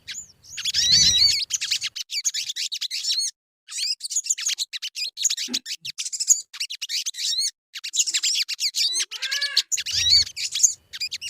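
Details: Crimson sunbird lure song meant to get birds singing quickly: dense, very high twittering with sharp upswept and hooked notes in rapid bursts, broken by brief pauses, with a low thump near the start.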